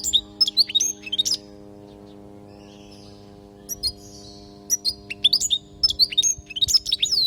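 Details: European goldfinch from Palestine, a teaching song for young goldfinches to learn from. Rapid high tinkling twitters with quick rising and falling notes, a short quiet gap in the middle, then another dense burst of twittering, with a soft low hum beneath.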